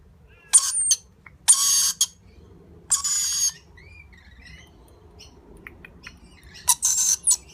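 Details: A lorikeet chick being fed by its parents gives four harsh, hissing rasps, each about half a second long, with pauses of one to two seconds between them over quiet background.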